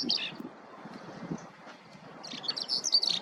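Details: Eurasian skylark singing while foraging in a ploughed field: bursts of high, scratchy chirping twitters at the start and a longer rapid warbling run toward the end, over low rustling background noise.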